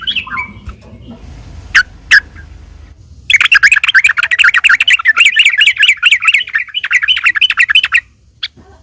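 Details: Yellow-vented bulbul fighting song played to provoke other bulbuls; a few scattered notes, then nearly five seconds of loud, fast, repeated chattering that stops abruptly.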